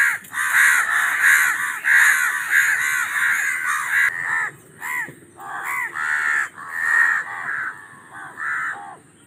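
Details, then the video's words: Raven calling in a rapid run of hoarse, harmonic caws, roughly one or two per second, some grouped in quick bursts with short breaks between them. "SONIDOS de CUERVOS 🗯 12 Voces diferentes"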